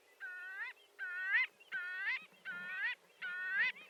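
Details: Five drawn-out, nasal calls of a marbled godwit, each a harmonic honk that rises in pitch toward its end, spaced under a second apart.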